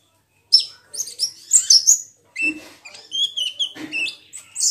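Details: Olive-backed sunbird (kolibri ninja) lure sound to make a bird sing: after a short silence, high chirps and whistles, then a series of lower, clipped notes in quick succession.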